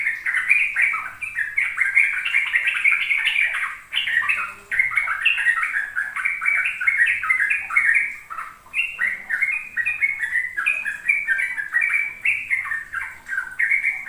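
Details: Sooty-headed bulbul, trucuk ropel lure song meant to teach young caged birds to sing: a long, continuous, rapid stream of bubbly chirping notes, rising and falling, with brief pauses near four and nine seconds.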